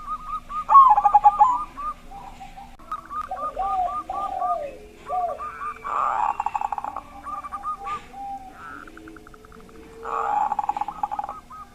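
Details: Zebra dove with a big voice singing so other doves join in; loud rolling cooing phrases among many overlapping repeated hooked notes and other dove calls.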